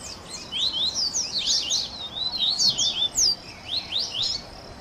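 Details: Double-collared seedeater song in a training mix of styles including tui tui, grego, viviti, flauteado and third note: separated, whistled, high rising and falling slurs in short bursts with brief gaps.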